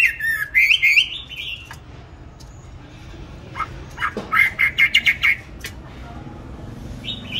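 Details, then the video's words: A songbird bought 19 May 2020 sings loud, high, warbled phrases, then a quick run of about six bright repeated whistles, over faint background hiss. "Chăm chim đều tay ,cám ổn định hót mọi địa hình ,mọi giờ giấc"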